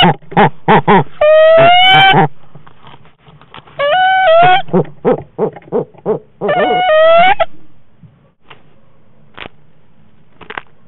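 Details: Female Barred Owl at 7am on 18 January 2016, after catching a crayfish: loud, rhythmic hoots and cackles with wavering, rising wails in three bursts, ending in quieter scattered notes, possibly with burps.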